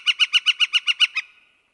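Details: Short burst from a Northern flicker in Wisconsin: nine quick, ringing, evenly spaced notes, the last slightly weaker, then quiet.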